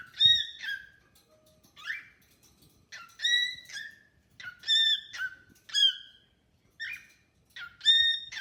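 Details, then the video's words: Pet cockatiel singing at length to a new bird companion: repeated whistled phrases with bright overtones and falling tails, a rising chirp near the start, bursts spaced about a second apart. "Bird annoys friend with unending singing"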